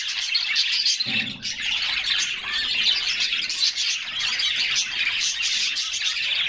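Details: Group of canaries bathing in summer, singing: thick overlapping high chirping and warbles, with brief wing or water splashes breaking through.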